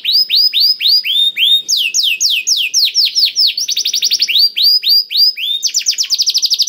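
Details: The 'gacor dor' canary song, played to make canaries that seldom sing start singing. Series of falling whistled sweeps at a steady pace alternate with short bursts of fast, tight trills.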